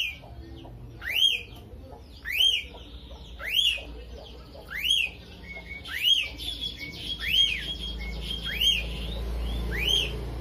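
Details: Lovebird in gacor song with starling-like phrasing, used to spark other birds: a bright rising-and-falling whistle repeated steadily, roughly eight times in ten seconds, with soft chattering between later notes.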